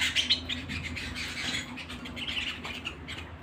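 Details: Domestic canary singing indoors: a strong opening chirp followed by a fast, continuous run of high twittering notes that gradually softens, with a low steady hum beneath.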